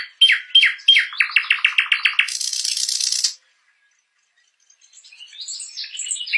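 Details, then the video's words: Nightingale singing: rapid clicking notes, then a fast series of repeated chirps that runs into a dry, buzzy rattle, a short silence, and soft high twittering resuming at the end. "Sweet Sounds of a Nightingale | What Does a Nightingale Chirping Sound Like?"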